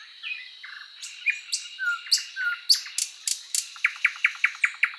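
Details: Song of a Thrush Nightingale: short whistles and slurred notes give way to loud sharp clacks, ending in a fast even series of about ten hard repeated notes; a faint high hiss runs underneath.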